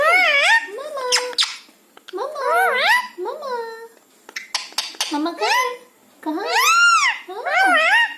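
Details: Pet parrot indoors, talking and whistling in reply to its owner, saying words like "Mumma", "Maa" and "Ha": a string of squeaky, sliding, voice-like syllables with arching whistled tones, separated by short pauses.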